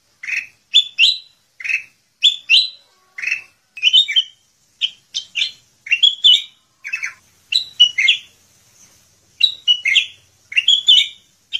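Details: A sooty-headed bulbul in full isian gacor song gives a long run of clipped chirps and sliding whistles, mostly in pairs, almost continuous with one short gap, against silence.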